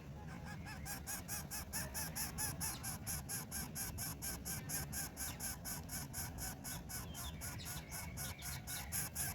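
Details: A Greater Coucal chick, being fed a frog by its mother and trying to swallow it, gives harsh, hissing begging calls about twice a second over a steady low background rumble.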